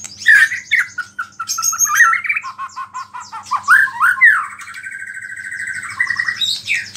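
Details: A white-rumped shama sings a song that reportedly rouses rival shamas, mixing in small-bird phrases: a rich run of varied whistles and chattering notes, then a long sustained whistled note near the end, with a soft background hum.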